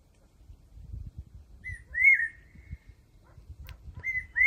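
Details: Evening song of a cuckoo perched around 30 metres off at Ao Châu, Hạ Hòa, Phú Thọ: a drawn-out clear whistle followed by a shorter rising whistle, over a low rumble and faint clicks.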